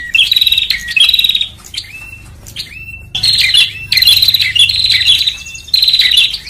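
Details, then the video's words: Bar-winged prinia lure recording used in bird trapping to draw birds in. Bursts of rapid, high, metallic chirping trills about a second long come in pairs, separated by quieter gaps holding short upslurred whistles. "SUARA PIKAT BURUNG PRENJAK"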